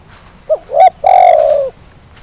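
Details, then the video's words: Spotted dove lure call meant to make reluctant birds start calling: one loud phrase of two short clipped coos followed by a long, slightly falling, rough coo, recorded close and overdriven. "Suara pancingan terkukur yang malas jadi bunyi"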